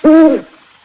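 An owl gives a single short, low hoot that swells and fades in about a third of a second. The room is otherwise quiet.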